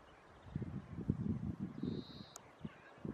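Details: European turtle dove in spring, at its arrival; low, rhythmic purring phrases pulse in quick bursts, with a thin steady high tone from another bird overhead and a sharp click near the end.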